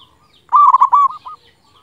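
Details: A local zebra dove with a big voice sings a single short loud phrase of quick stuttered cooing notes, kept as tutor song to prompt silent doves to answer.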